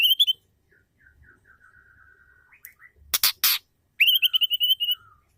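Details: Female white-rumped shama call meant to rouse a male to sing: bright rising whistled notes, a long faint series of soft even chirps, two loud harsh rasps, then a burst of rapid whistled notes falling away.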